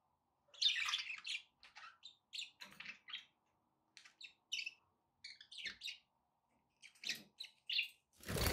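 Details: Chattering budgerigars give a steady run of short, buzzy chirps and warbles with brief gaps between them. A louder broadband rustle comes at the very end.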